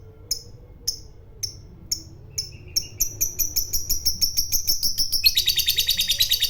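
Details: Fighter lovebird provoking a rival with a long 'ngekek': spaced sharp chips every half second quicken into a rapid trill that turns harsher and denser toward the end.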